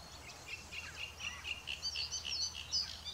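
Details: Great reed warbler at Besthorpe Nature Reserve, Nottinghamshire, on 5 June 2021; a string of harsh, rhythmic, repeated notes, fairly distant, with a low background hum.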